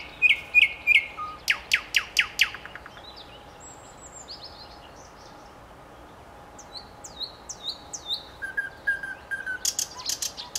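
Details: Common nightingale singing a varied phrase: a fast run of repeated sharp notes, then a pause and a series of rising and falling whistles, ending in buzzy chattering, over a steady background hiss.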